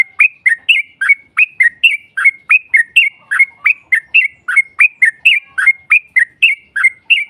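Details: Yellow-vented bulbul lure song aimed at drawing a rival's reply; bright, slurred chirping notes repeat steadily, roughly three per second, throughout.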